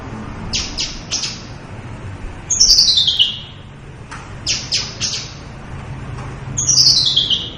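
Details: Javan bush lark singing its full-repertoire song, a species described as dwindling and almost absent in the wild: sharp high clicks and short notes, then quick descending whistled sweeps that repeat every four seconds.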